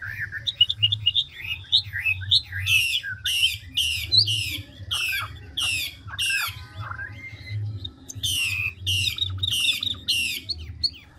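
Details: Chinese hwamei, a big mature wild-caught bird in speedy ngũ trường voice-switching song: rippling whistled phrases, long runs of loud rasping notes about three per second, and brief slurred interludes, over a steady low hum.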